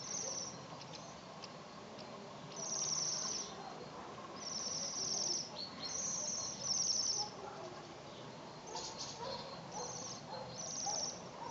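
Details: Waxwings in the Urals give thin, high, sibilant trills in short buzzy bursts about a second long, repeated every second or two, over a soft background hiss.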